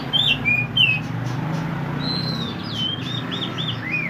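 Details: Mantenan (pied bushchat) in full song for training other songbirds: separate high whistles, a long level whistled note, then a string of looping up-and-down slurred notes, with a constant low droning hum beneath.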